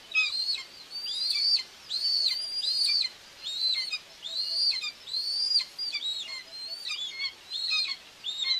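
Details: Nest of common buzzards in Tiszalök, Hungary, 2 June 2024, mother feeding two chicks: a long, busy run of high arched whistles, some overlapping, with shorter chirps toward the end.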